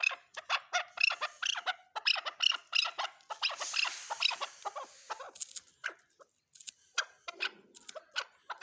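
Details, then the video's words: Chukar partridge calling in a rapid, dense series of harsh clucking notes for about six seconds, then fewer and more widely spaced chuck notes toward the end. "chakor# ki# awaz"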